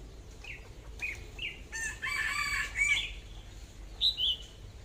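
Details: Captive decoy red-whiskered bulbul with an AK-style voice: brief whistled notes lead into a dense, scratchy, rapid burst of chattering song, ending with a pair of clear bright notes.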